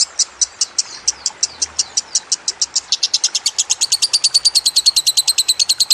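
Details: Lovebird song from a bird-training recording: clipped high chirps start spaced and then quicken into a dense, fast ringing trill.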